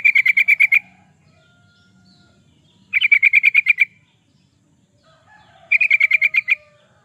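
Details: Yellow-vented bulbul song, a vigorous lure or master recording for training birds: three short bubbly bursts of about ten quick, even notes each, repeated roughly every three seconds against a quiet background.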